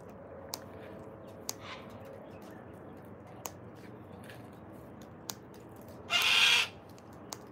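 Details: A wild Sulphur-crested cockatoo, one of a flock feeding in freezing Australian weather, gives a single harsh, raspy screech of about half a second amid faint hiss and a few sharp clicks and taps.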